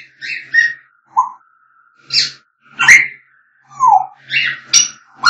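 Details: Singing and whistling African grey parrot: quick alternation of harsh squawks, clear low whistles sliding downward and sharp high chirps, roughly one per second.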